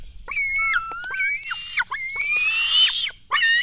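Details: Black stork nestlings begging at a nest in Latvia during an early-morning feeding, 24 June 2016: squealing cries, one low and drawn out, then longer rising harmonic wails, with a few sharp clicks between.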